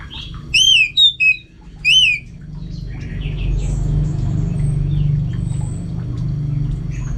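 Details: Orange-headed thrush in North Bali, Singaraja, kept at home, opening with three loud, clear, down-slurred whistles within two seconds, then only faint distant twitters over a steady low hum.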